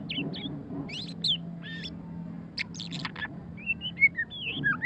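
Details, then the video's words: White-rumped shama (murai batu pastol) singing ngeriwik: high chips and buzzy notes, then a pause, then another burst of clipped notes and fluted slurred whistles to close, over a low steady drone. "suara kicauan burung murai batu pastol ngeriwik - white-rumped shama"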